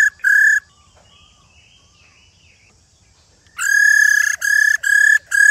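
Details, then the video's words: Old wild-caught female silver-eared laughingthrush calling to stimulate males: two brief whistles, a three-second lull, then a steady run of loud, flat, ringing notes. "KHƯỚU MÁI RÒ GIÀ RỪNG VIP/Kích Trống Hót Căng"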